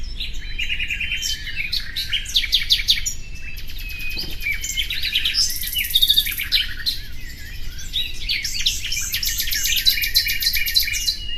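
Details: Common nightingale song: dense, fast bursts of chirps and rattling trills, high buzzy runs and sharp repeated notes, almost continuous, with a soft low rumble underneath.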